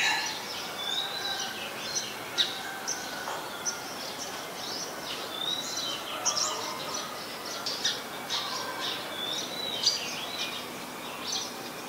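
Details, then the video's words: A female House Sparrow (Passer domesticus) at Ubon Ratchathani, Thailand, on 5 February 2020, among a busy stream of short, bright chirps at a quick, irregular pace, with several birds seemingly overlapping against a soft outdoor background. "นกกระจอกใหญ่ตัวเมีย (House Sparrow , Female)"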